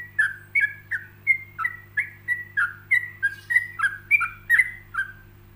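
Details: Yellow-vented bulbul (trucuk) delivering a leisurely ropelan for other bulbuls to imitate. Some fifteen liquid whistled notes, each falling or bending slightly, spaced about every third of a second, with a faint low hum beneath.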